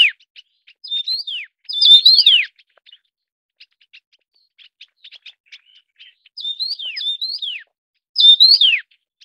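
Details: Taiwan yuhina feeding chicks in Taiwan gives repeated whistled phrases: level notes ending in a downward slur, given in clusters of two or three with quiet chips between them.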